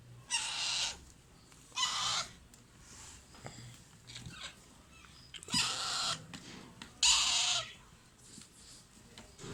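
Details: Alexandrine parakeet nestlings at feeding produce loud, harsh, hissing squawks in four main bursts, each lasting under a second, with faint clicks and rustles between them.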